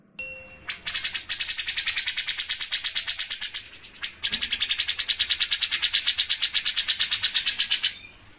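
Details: Grey-cheeked bulbul (cucak jenggot) in full song, delivering the 'mesin jahit' (sewing machine) besetan style: two long bursts of rapid, harsh, buzzy pulses repeated several times a second, with a short pause between them.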